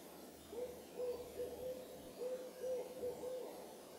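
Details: Owl calling at moonrise near the Carpenter Mountain fire lookout, H.J. Andrews Forest, Oregon, USA; a quick run of short, soft, even-pitched hoots in two bursts of about four notes each, over faint background hiss.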